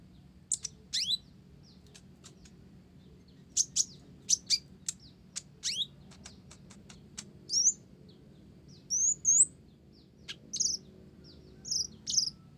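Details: Olive-backed sunbird with Java sparrow-style phrases: sparse, very high upslurred notes and thin ticks, followed by scattered squeaky whistled chirps separated by pauses.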